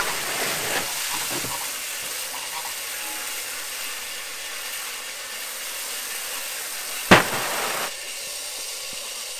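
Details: Steady broadband mechanical hiss like a power tool or vacuum runs throughout, with one sharp loud click just after seven seconds and no animal voice.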